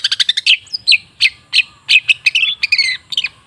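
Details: Long-tailed shrike song for provoking silent shrikes to sing: a quick burst of stacked chips, then evenly spaced loud whistled and buzzy notes, about three each second.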